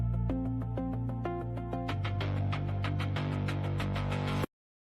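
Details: Layered instrumental music with steady repeating notes, a denser, brighter passage after about two seconds, and an abrupt stop near four and a half seconds followed by silence.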